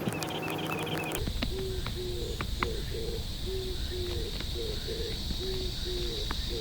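An Oriental turtle dove gives a distant series of deep, hoarse coos in a steady rhythmic pattern over a low rumble. A brief burst of music is heard at the start.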